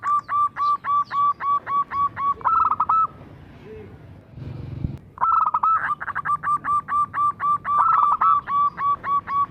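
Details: Local zebra dove in full song, kept as a lure to get other zebra doves singing: long runs of clipped, ringing coo notes about four per second, broken by occasional rolled trills and a pause with a brief rustling noise.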